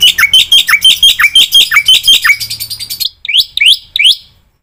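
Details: Training song of a Black-winged myna with full fill-in phrases, used to get other starlings singing: a steady series of harsh, clipped notes slowing down, then three loud upward-sweeping whistles before silence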